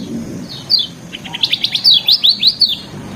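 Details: Lemon-bellied white-eye song used as a training recording, rich in varied notes: a run of high, sharp chirps and quick down-slurred whistles, rapidly repeated, over faint low background rumble.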